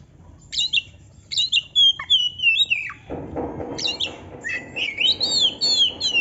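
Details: A kacer, or oriental magpie-robin, in lively canary-filled song: bursts of sweet descending whistles and twittering phrases separated by brief pauses, with a soft broadband hiss in the middle.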